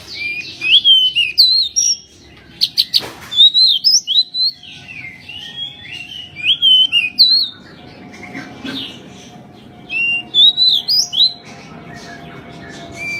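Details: Pied bushchat singing vigorously in a tutor recording for training songbirds: bursts of clear, high, warbled whistles that rise and fall in short phrases, separated by pauses, with a sharp click near three seconds and a low background hum.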